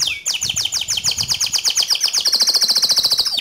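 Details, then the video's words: Canary singing, used to train other canaries: dense rapid trilled notes sliding downward, merging into a high steady rolling tour, with faint low background rumble. "Latih Mental Kicau Kenari Anda Dengan Suara Kicauan Kenari Gacor ini"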